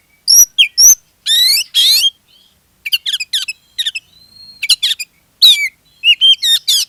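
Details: Energetic Oriental magpie-robin song played to spur other magpie-robins into singing: loud buzzy rasps, rapid clusters of sharp chips and slurred whistles, a faint thin whistle in between, all in quick bursts.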